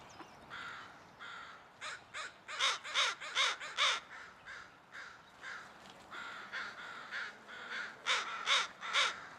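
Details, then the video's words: A noisy murder of crows, many birds cawing in rapid overlapping bursts, loud rasping caws in quick series with brief pauses between runs. "A Crow Relaxes While The Murder Makes Noise"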